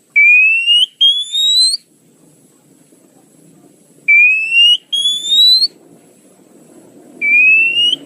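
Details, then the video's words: Lure sound of an Oriental magpie-robin: paired long, clear whistles gliding gradually upward, repeated in groups a few seconds apart, with a soft low rumble in the silences. "suara pikat burung KACER tercepat"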